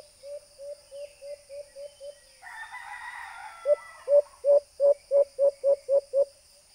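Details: Recording of a white-eared brown dove used with a small speaker to lure birds for hunting: seven soft, even hoots, a brief harsh crowing noise, then nine louder, quicker hollow hoots in a steady run.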